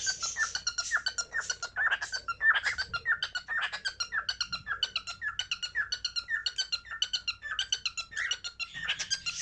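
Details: Cockatiel giving a steady run of quick squeaky chirps and short whistled notes, closely spaced and fairly even throughout, with no other sounds standing out.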